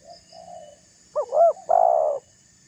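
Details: A faint soft coo, then a loud spotted dove phrase of two quick rising-falling notes and a long buzzy coo, used as a lure call to stir rival doves.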